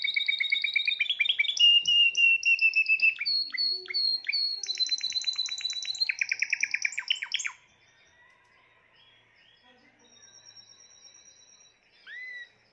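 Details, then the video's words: Timbrado canary, the seventh bird of the keeper's 2020 birds, in full song: rich rolling trills and rapid bubbling phrases shifting pitch for about seven seconds, then near quiet with a faint high note and one closing upslurred whistle. "تغريد طائر التيمبرادو"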